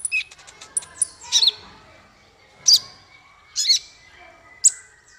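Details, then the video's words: Male konin (Van Hasselt's sunbird) singing: sparse, very high thin chirps and short sharp notes with pauses between them, in bursts about one second apart. "Suara konin untuk masteran burung"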